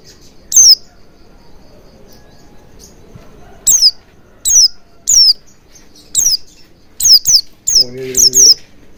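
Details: Oriental white-eye calls used as a lure to make birds sing with beak wide open: a lone high downslurred chirp, a pause, then a run of about ten similar chirps, some doubled, with a brief low voice near the end.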